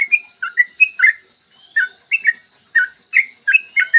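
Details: Morning song of a trucukan, the yellow-vented bulbul, played to get other bulbuls singing: paired liquid whistles rising and falling, delivered in short bursts with brief gaps.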